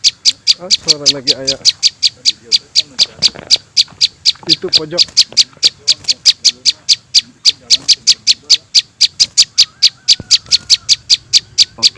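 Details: Prinia chicks, offered as a lure sound for catching small birds: sharp, high, clicking chips repeated steadily about four times a second, with brief low voice-like sounds near the start and middle.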